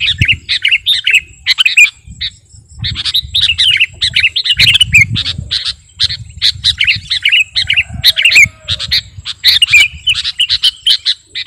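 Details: Sooty-headed bulbul (kutilang garuda) singing for use as a lure and master song; long stream of chattering, bubbly warbled phrases and squeaks with a few short pauses, low background hum throughout.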